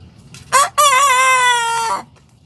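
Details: Young Sanjak cockerel just starting to crow gives one short harmonic crow of about 1.5 seconds: a brief opening note, a pause, then a long, steady, slightly falling tone that breaks off abruptly, over quiet background hum.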